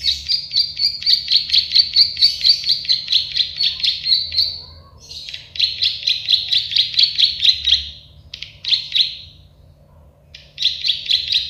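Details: Klik-klik bird or prenjak sawah, the plain prinia, sung for training songbirds: long steady trains of high, buzzy clicking notes repeated rapidly, broken by short pauses and a few separate bursts.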